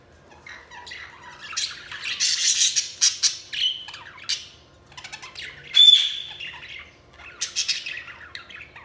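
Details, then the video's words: Budgies chirp busily in a dense, overlapping chatter of short high squeaks, buzzy warbles and sharp tweets, with a few louder piercing whistled notes breaking out near the six-second mark. "Budgies Chirping sound"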